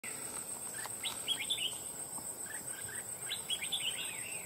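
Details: Wild red-whiskered bulbul recently trapped for fighting, singing loud short phrases of quick warbled notes, bursts every two seconds or so, with a steady high insect whine behind.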